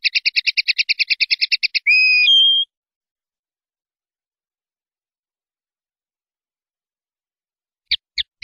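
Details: Linnet singing in the clean 'limpio' style, 2019/2020 recording: a rapid even series of about fifteen high chirps, then a drawn-out whistle sliding into a higher tone, followed by long silence and three late chirps.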